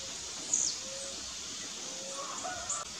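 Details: A blue-black grassquit singing in the bush during a dispute between rivals: one sharp, high, falling note, a faint second one near the end, with soft low whistles and a steady insect hiss.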